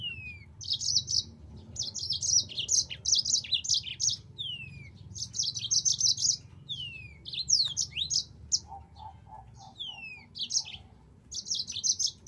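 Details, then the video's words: A yellow-fronted canary delivers a long sequence of high, rapid trilled phrases mixed with slurred downward whistles. A brief series of lower pulsed notes appears near the end, over a soft low background hum. "MASTERAN BURUNG MOZAMBIK"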